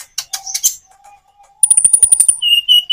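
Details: Common iora song made as a lure with natural pauses: scratchy high chips, a faint steady low hum, then a fast very high trill followed by clear repeated whistled notes.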